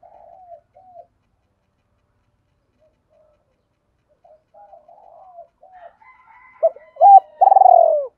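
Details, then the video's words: Spotted dove lure coo, double style, for drawing in wild doves. Soft scattered murmurs lead to a sudden loud close: two hooked coos and a long, trembling, falling coo. "Tiếng cu gáy đôi, tiếng cu gáy mồi chuẩn"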